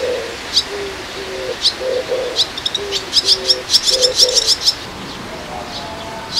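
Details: Juvenile swallows perched together, one restless youngster calling noisily: rapid high clicking chirps in clusters around the middle, interspersed with short low buzzy notes, fading toward the end.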